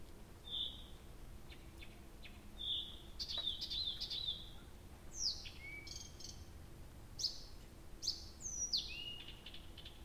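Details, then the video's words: Night song of a nightingale at Abramtsevo in early June, recording started 23:00 on 6 June 2021: pure held whistles, then a burst of buzzy notes, followed by loud downward-sweeping whistled slurs, each separated by brief gaps. "Соловей поёт всю ночь"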